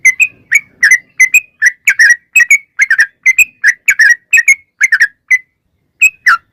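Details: Yellow-vented bulbul (trucukan) in a rapid 'ropel panjang' song used as a lure so other bulbuls sing. Whistled, bubbly notes in quick pairs repeat steadily, then a short pause and two final notes.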